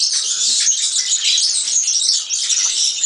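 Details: European serin song: a dense, high, jingling stream of rapid buzzy notes that runs without pause for the whole stretch.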